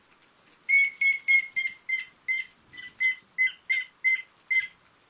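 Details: Grey-headed woodpecker calling in a run of about twelve clear, ringing notes, each roughly a third of a second apart and holding one pitch; a thin, high descending whistle from another bird opens the sequence.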